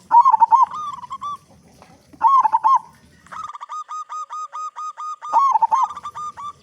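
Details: Loud local zebra dove singing to lure other doves into song; rolling bubbling coos alternate with a long series of evenly spaced short notes, in a quiet setting.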